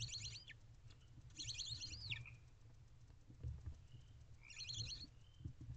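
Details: Five young barn owls in a nest box begging for food as their mother feeds them late at night, April 2023; three brief bursts of high scratchy chittering, quiet between, over low rumbling background.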